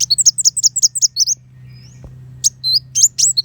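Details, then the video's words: Kolibri wulung sunbird singing in the fast 'tembakan besetan pedas' style used to tutor contest white-rumped shamas: a quick string of high, bending tweets, a short pause, then another burst of piercing notes over a faint hum. "Pancingan Kolibri Wulung Full Tembakan Besetan Pedas"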